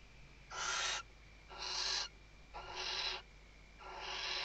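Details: Female western barn owl at a nest webcam in Riet Vell Nature Reserve, Ebro Delta, Tarragona, Spain, 2023 season, calling the male while stuffing the nest: four harsh, hissing screeches about half a second to a second long, over a faint steady hum.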